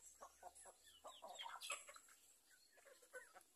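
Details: Free-range village chickens roaming on a farm: a busy mix of short clucks and thin, higher chirping notes that overlap and tumble over one another throughout, with no other clear sounds.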